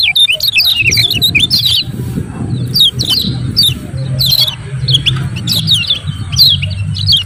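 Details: Lemon-bellied white-eye song used to provoke reluctant birds and call a rival: lively high chirps and twisting notes in repeated bursts throughout, with a low rumbling background.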